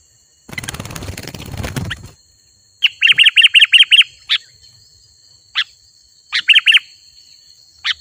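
Bright, chirpy notes from a sooty-headed bulbul: a quick run of six, then scattered single notes and short bursts. A steady high whine and an early rustle are also heard.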